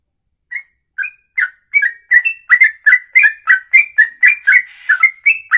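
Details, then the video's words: Songbird delivering ropelan-style song, a long song in one breath lasting over two minutes; rapid whistled double notes around two kilohertz with thin high overtones, speeding up and repeating about four times a second. "Inilah Ropelan Sekali Nafas 2 menit lebih"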